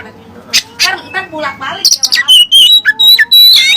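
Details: Oriental magpie-robin (kacer) with learned Cililin song material: rough nasal harmonic notes at first, then a quick sequence of clear high whistles, sharp chips and steady piping tones.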